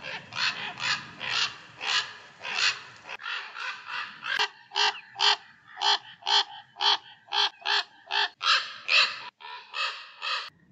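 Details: Common raven in the UK gives a fast series of loud, harsh, hoarse cronks, about two each second, softer and blurred at first, then loud and distinct.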